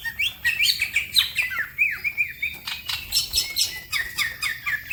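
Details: Green leafbird in full song while other birds also sing: fast, varied whistled phrases sliding up and down, mixed with high scratchy chips and quick rattled notes, delivered in a continuous rush.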